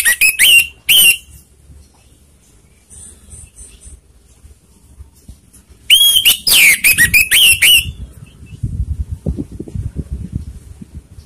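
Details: Orange-headed thrush singing a lure song to provoke rivals: three loud whistled notes, a quiet gap with a faint high buzz, then a dense burst of about eight slurred whistles, followed by low rustling noise.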